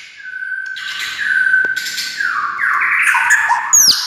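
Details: White-rumped shama song used as a lure for other shamas: a long steady whistle under harsh, squawky bursts, then a dense tumble of mixed tones and a high downslurred note.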